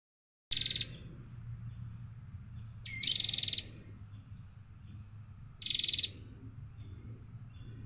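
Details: Female prinia calls used to stimulate other birds to sing: three short buzzy, rasping bursts, each about a third of a second, spaced roughly two and a half seconds apart over a steady low hum.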